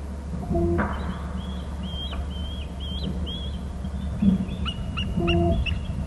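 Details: On Hornby Island, a bald eagle pair calls and alerts from the nest while the male flies off and back; repeated high, thin whistled notes run through the clip, with a few lower tones and a steady hum beneath.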